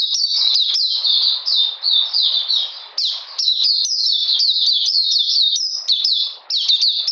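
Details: Oriental magpie-robin singing in cold rainy weather on 13 June 2020, a dense stream of bright, falling chirps, loud and sustained, with a short dip in volume near six seconds.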